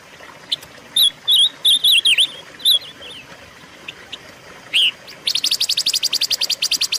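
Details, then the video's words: Silver-eared mesia, recorded as lure and training material for cage birds: a string of warbled, dipping whistles, a few isolated chips and one loud slurred note, then a rapid, regular chatter of repeated ticks to the end. "pancingan dan masteran suara burung pancawarna"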